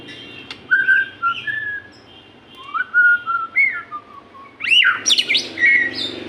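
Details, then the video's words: White-rumped shama song played to spur captive shamas into singing: clear whistled notes slurring up and down, short phrases separated by pauses, ending in a louder burst of rapid rising sweeps and chatter. "pancingan burung murai susah gacor.di jamin 💯 gacor murai"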